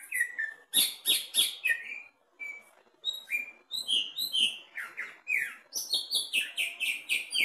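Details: Caged greater green leafbird tested at the bottom of the cage, singing a rich, varied run of loud chirps, slurred whistles and sweeping notes, pausing briefly near two seconds, then resuming with rapid repeated whistled phrases.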